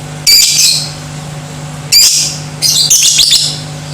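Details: Lovebird sound used to provoke other lovebirds into becoming aggressive and singing: three loud, harsh, high chattering bursts, the last one longer and broken, over a steady low hum.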